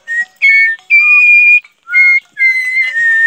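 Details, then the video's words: Pet parrot that likes coffee gives four long, clear, steady whistled notes, the second sustained about seven-tenths of a second, separated by short silences; no other sounds. "PAPAGAIO FALANDO QUER CAFÉ MEU LORO"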